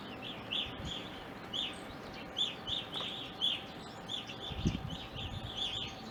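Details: Evening grosbeaks in an Ohio backyard in winter and spring: a flock gives overlapping short chirps throughout, with a low knock partway through.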